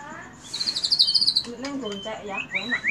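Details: White-rumped shama in a cililin 'tembakan' burst: a quick, high, pulsed trill for about a second, followed by softer lower notes and a few rising whistles.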